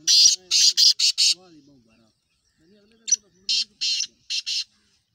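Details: Black francolin (kala teetar) calling: two phrases of five loud, harsh, grating notes each, separated by a pause, with a faint low droning voice in between.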